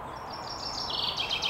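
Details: A great spotted woodpecker (Dendrocopos major) in Ljubljana Botanical Garden, Slovenia, on 31 May 2023 gives a quick run of thin, high, sharp notes that grow louder and faster toward the end, over a steady low hum.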